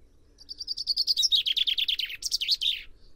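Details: Common chaffinch singing: a bright, rapid series of descending notes that accelerates into a tumbling trill, then ends with a short, emphatic flourish of higher notes, all within about three seconds over a quiet background.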